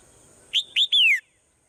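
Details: Morning swallow call: two short high chirps followed by a longer clear whistle that slides steadily downward, the whole phrase lasting under a second against a faint hiss.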